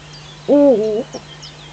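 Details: One Eurasian eagle-owl call from the Eifel, 19 June 2015 at 05:50 early morning: a single loud, hoarse, level note that dips and wavers for about half a second, then a faint short echo-like note.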